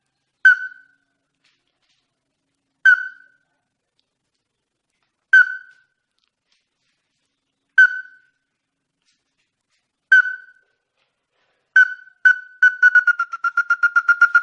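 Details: Ruddy-breasted crake (Zapornia fusca) giving hard, clipped notes that speed up into a rapid, even series; used as a lure call for trapping.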